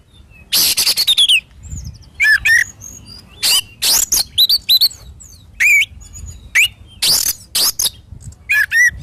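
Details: Oriental magpie-robin in strong song for training kept birds: loud scratchy bursts interspersed with short whistled notes that drop and rise, delivered in irregular phrases with pauses of about a second.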